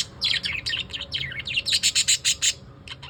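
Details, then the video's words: Pet lovebirds in the evening giving rapid high chirps that run together, then a row of about eight evenly spaced sharp, bright notes near the end, with a faint steady low hum underneath. "Pattu Chittu evening vibes"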